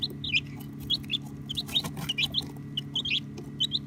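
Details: Several domestic baby chicks cheeping in quick, irregular short high notes, some with a little upward twist, above a steady low humming background, captured on an iPhone XR.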